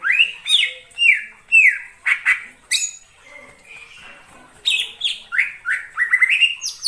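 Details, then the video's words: Greater green leafbird in the wild forest: repeated downslurred whistles in quick bursts, a brief lull with a faint steady tone, then more rising and falling whistled notes. "suara cucak ijo di alam liar"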